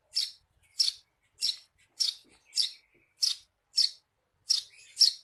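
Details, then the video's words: Eurasian tree sparrow song, used as tutor audio for training songbirds; nine short, sharp, high chirps repeated about every half second in a steady series, with no other sounds. "Suara burung Gereja Receh"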